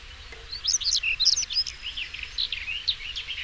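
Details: European stonechat singing a fast, scratchy warble of high twittering notes and short rising and falling phrases, delivered continuously, with faint low background rumble.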